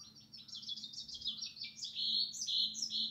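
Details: European goldfinch singing bright, rapidly repeated twitters and buzzy phrases over a faint steady low hum.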